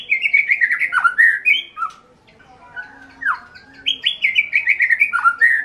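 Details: Song of a white-rumped shama, a hobby bird in Indonesia: rapid strings of sweet, slurred whistles with a brief lull midway, then fast warbled phrases resuming.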